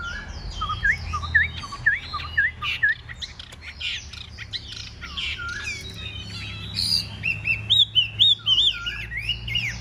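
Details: Caged Chinese hwamei in a fighting display, spreading its feathers while singing well: varied song of slurred whistles, rising and falling notes and short harsh squawks, with clear upslurred whistles near the end, over a low steady hum.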